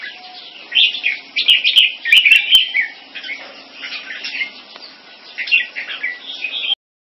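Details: Competing display between caged red-whiskered bulbuls, mutant crossbreeds from a champion bloodline kept in Singapore: a steady stream of quick chirped and warbled phrases, with a faint low tone underneath and a few clicks.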